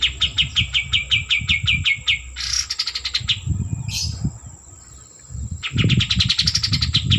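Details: A white-eared bulbul delivers repeated rapid trills of sharp, high notes that fall slightly in pitch, broken by buzzy rasping phrases and a pause, with steady low rumbling noise in the background.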